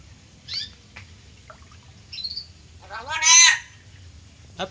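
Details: Captive black-capped lory imitating human words it often hears, with faint short squeaky notes, then a loud harsh, nasal spoken-sounding phrase of about half a second, ending with a brief rasp.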